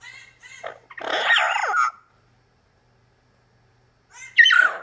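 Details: Double Yellow-headed Amazon, a male pet parrot, reacts to footage of himself with choppy, warbled harmonic vocalisations, a loud wavering call, a silent gap, then another sharp rising-and-falling cry.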